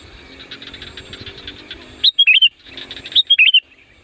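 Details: Sooty-headed bulbul calling loudly to draw in wild birds, giving two quick phrases about a second apart, each a short run of four clear, bouncy whistled notes over faint buzzy background chatter.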